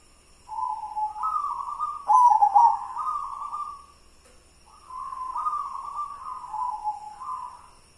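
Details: White zebra dove from local stock. Two cooing phrases of hollow, wavering notes; the first holds a loud stuttering trill in its middle, and the second steps gently up and down.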